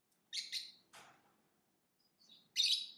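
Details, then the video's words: Lovebird making a pair of harsh chirps, a softer lower squawk, then a thin whistle and a loud raspy chirp, all within three seconds over a low faint hum. "Lovebird Singing & Chirping Sounds"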